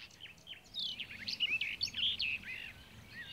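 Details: Red-backed shrike (Lanius collurio) gives a quick run of scratchy, high chattering notes with rapid squeaky slurs, lasting about two seconds over faint background hiss.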